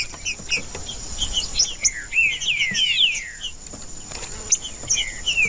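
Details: Green-winged saltator in the bush, singing to stir other saltators into song: slurred whistled phrases sliding downward in the middle, with scattered short chirps and a steady high insect drone throughout.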